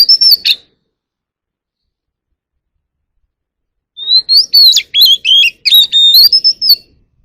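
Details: Calling the flock, a White-rumped shama gives its forest-style song: a short whistled burst, several seconds of silence, then a lively sequence of rising and falling whistles mixed with crisp chips.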